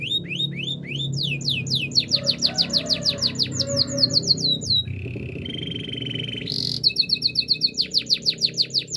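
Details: Belgian canary song of fast repeated whistled sweeps, a short steady buzzy trill, a higher sustained rolling note, then more rapid sweeps, over a low background hum.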